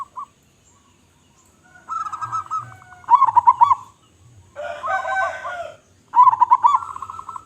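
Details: Loud-voiced local zebra dove repeating rolling, stuttered coos three times, each opening with clipped notes and running into a level warbling trill. A harsher, noisy burst of sound intrudes between the second and third phrases.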